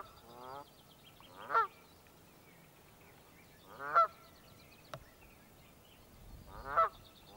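Canada goose giving three loud, two-part honks, rising then breaking, spaced about two and a half seconds apart; faint background murmur and a single sharp click.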